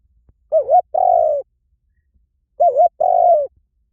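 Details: Two cooing phrases from a spotted dove, about two and a half seconds apart, each a quavering, rising-and-falling note followed by a sustained, gently descending coo.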